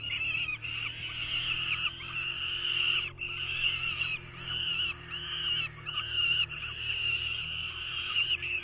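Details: Nestling falcons, recorded in 2023 as the male attempts to feed them, give long bursts of hoarse, grating screams separated by brief pauses, about seven bouts in a row.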